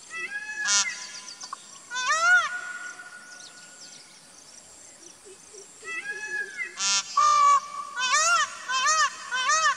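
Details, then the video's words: Indian peafowl calling: loud, harmonic, nasal wails that arch up and then down, given in short bursts near the start and then as a rapid run of repeated cries in the final seconds, over faint background hiss. "Indian Peafowl Calling"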